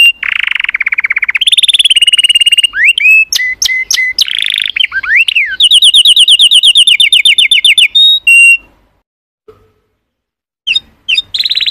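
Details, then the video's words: Canary song with a low rolling trill, then a higher trill, scattered chips and slurred whistles, and a long bright rattle before a silence and a few final notes. "تغريد كناري Chant Canaris singing canaries"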